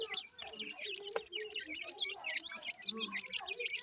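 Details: Feeding Grey francolin chicks give a busy stream of thin, high chevron-shaped peeps in rapid succession, over soft low clucks and a light rustling background.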